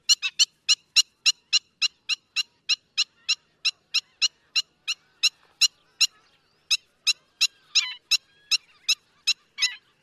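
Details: Black-winged stilt, a noisy wetland bird of Sri Lanka, calling loudly and stridently as when alarmed in the breeding season: a rapid series of sharp, high, yapping notes, three or four a second, with a brief pause midway.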